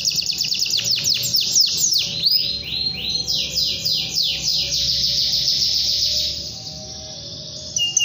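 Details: Canary in full, long song, calling out to a rival: a run of fast descending sweeps opening into rolling trills and buzzy churring phrases, fading toward the end, with a faint low hum behind.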